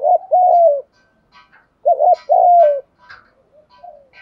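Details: Spotted dove coo played as a lure for other doves: two strong phrases, a rapid double note leading into a long falling coo, followed by faint background chirps and soft low coos.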